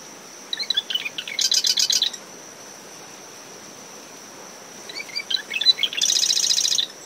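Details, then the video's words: Marsh wren singing twice from dune vegetation near its nest at dawn, post-storm with brisk wind. Each song is a scratchy stutter of notes followed by a rapid vibrating rattle, about four seconds apart. A high cricket note is continuous, and surf hisses faintly. "Marsh Wren Calls from Dune Vegetation"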